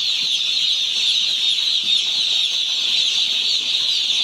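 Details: Crowd of 1-day-old chicks at a poultry farm, an unbroken mass of thin, high chirps, with a few faint low knocks underneath.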